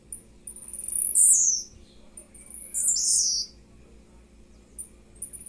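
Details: Blue-black grassquit, young captive-bred bird, singing mid-morning at 10:50; high thin buzzy phrases that slide downward, two strong bursts followed by a faint third.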